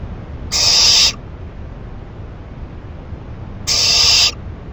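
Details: ['Late-night owl receiving a rabbit as food, May 2012: two separate rasping hisses, each about half a second, spaced around three seconds apart against quiet background.']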